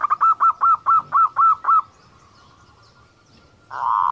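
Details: Kerot calling of a female zebra dove, used to draw males into breeding condition: a fast series of eight bright, evenly spaced notes over two seconds, then near silence with a faint steady hum before a harsh burst at the end.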